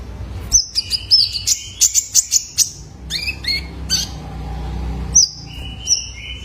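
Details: Purple-throated Sunbird, juvenile male, recorded as a lure for caged birds: a rapid rhythmic series of high ticking notes, then descending whistled slurs and a few long flat tones.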